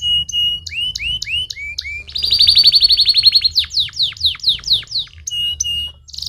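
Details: Canary singing to stimulate other canaries: evenly spaced rising whistles, then a loud, fast pulsing trill, followed by a run of descending swooping notes and a closing buzz, in a quiet setting.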